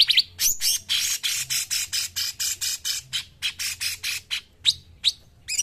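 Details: Cungkok songbird singing on a training recording: a rapid, loud series of sharp, high chirping and squawking notes, about three per second, with occasional brighter whistled slurs, continuing without pause.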